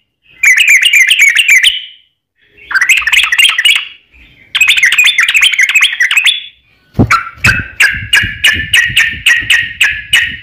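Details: Lure recording of a Yellow-vented bulbul's fighting 'ropel panjang' song: three dense, buzzy bursts of fast bubbling notes, then a steady run of evenly spaced sharp chirps.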